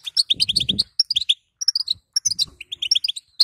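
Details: Batbata of a female European goldfinch, meant to trigger a male's singing, with quick high chirps in two bursts separated by a short silence. Low rustling noise accompanies the first burst.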